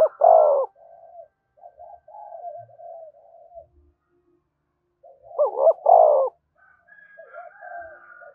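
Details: Spotted dove coos meant to trigger other doves into cooing: a loud throaty coo opens, gentle wavering coos follow, another strong deep bout of bending notes comes near six seconds, with thin higher whistles faintly behind.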